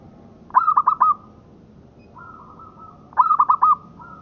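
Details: Local zebra dove singing, kept as master audio: two phrases about two and a half seconds apart, each four fast, mellow, bubbling coos followed by a soft drawn-out humming tone.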